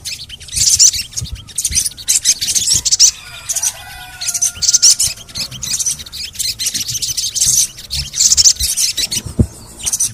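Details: Crimson sunbird (sogon) calling in bursts of very high, rapid chirps and rattly trills, spaced roughly a second apart. The recording is used to prompt reluctant birds to sing.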